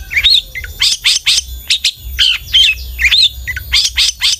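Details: Long-tailed shrike singing, used as a lure to make other shrikes sing: harsh scratchy notes alternating with clear looping whistles, delivered in steady short phrases about three per second.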